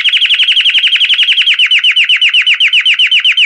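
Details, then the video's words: A Belgian canary sings a fast, bright trill of repeated down-slurred notes, roughly eight to ten per second, easing slightly in pace, with no other sounds. "CANTO CAMPANHIA DO CANÁRIO BELGA"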